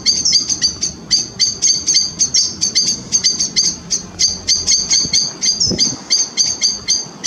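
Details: A family of grey wagtails by the River Chelt calling steadily: high, clipped, metallic ticks in a busy irregular series, sometimes doubled, over faint low river noise.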